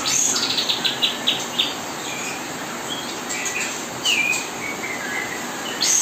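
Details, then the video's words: Kapas tembak song played nonstop as a tutoring recording while murai batu fledglings are hand-fed; high, thin chirps and short whistled slurs, bursts early and near the end, over a steady hiss. "kapas tembak gacor nonstop menemani"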